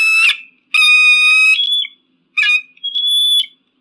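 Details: Eagle uttering a short harsh yelp, then a loud, sustained, rasping scream, a brief pause, another short harsh note and a thin, level whistled tail.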